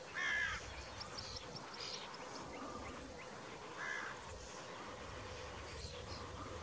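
A carrion crow gives two harsh, rasping caws about three and a half seconds apart over a steady outdoor hiss.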